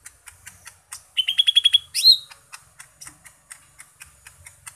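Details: Green leafbird singing a fast string of about seven high whistled notes ending in a slurred rising phrase, set among steady dry ticking clicks.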